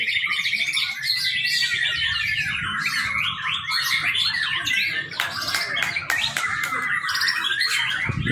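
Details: Young white-rumped shama with a long, unbroken outpouring of rich whistles, rattling trills and chattering mimicry-like notes, a few sharp clicks near the end; used as a training lure.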